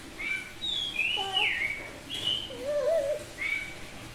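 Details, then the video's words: Oriental magpie-robin of the Bali type, semi-tame, sings loud 'ngeplong' song: bright whistled notes sliding up and down, a falling slur, and a lower wavy warble, phrases separated by short pauses. "Suara Burung Kacer Bali ngeplong,,, Semi jinak tapi Gacor Mental Master"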